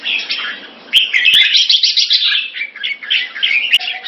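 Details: Red-whiskered bulbul, 2 September 2017: busy warbling song with fast twittering notes and a few sharp clicks. The song runs almost without pause.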